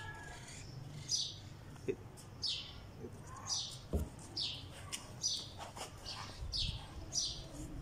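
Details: Sparrow perched on a wall chirping: clear descending chirps repeated roughly once a second, with a few faint knocks and a low background rumble.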